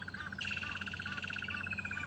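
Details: On a morning safari drive at Djuma and Arathusa on 3 January 2015, two crested barbets call frantically with a leopard a few metres from their nest. They give a rapid, even trill of about thirteen notes a second over a low rumble, with an Egyptian goose heard distantly.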